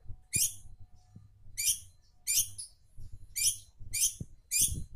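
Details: Long-tailed shrike in full voice, a lure recording: short harsh, buzzy, high notes repeated roughly every second with brief pauses, low background hum throughout.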